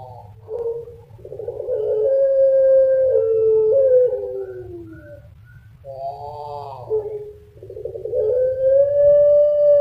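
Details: Puter Pelung, a turtle dove breed kept in Indonesia for its distinctive voice, gives long flowing coos: mellow, sustained tones that waver and slide, some notes drawn out for several seconds. A steady low rumble continues underneath.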